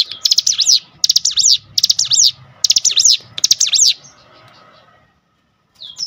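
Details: Cinereous tit song played as a lure to trigger other cinereous tits: five sharp, rapid phrases about every 0.7 seconds, then quiet and a single upslurred note at the end.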